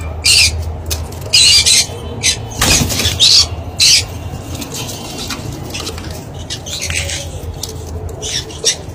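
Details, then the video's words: Ringneck parakeet chicks being fed give loud, rasping high squawks in irregular bursts, roughly one a second, mixed with fainter squeaks and handling noise. "Ringneck chicks beauties on 1 time feeding"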